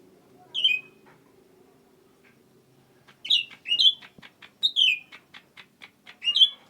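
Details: Sooty-headed bulbul, called cucak ranting, in lively gacor singing: clear whistled notes sliding down from high pitch, in bursts of two to three phrases with short clicks between, after a quiet opening stretch.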